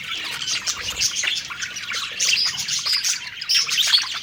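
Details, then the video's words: Feeding budgerigars in cheerful song, a chattering warble with bright whistled notes rising out of the continuous twitter. "Happy Singing & Eating Parakeet Budgies Birds"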